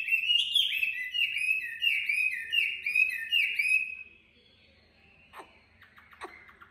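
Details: A captive Chinese hwamei sings a fast, loud run of rich slurred whistles, about a dozen phrases in four seconds, then two sharp clicks in near silence.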